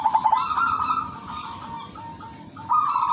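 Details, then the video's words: Silver female zebra dove calling for males, with a brief burst of quick pulsed coos followed by softer, sustained low coos and a steady high-pitched hum in the background. "pekutut BETINA silver memanggil jantan"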